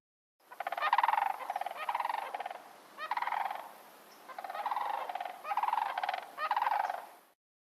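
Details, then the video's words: Three Sandhill cranes circle over Spokane Bay near Helena, Montana, at midday in late August, calling in flight with loud, rolling, throbbing trumpet notes in about six overlapping bursts, echoing off the slope, before landing to forage. "three Sand Hill cranes were circling over the bay their throbbing calls echoing off of the slope"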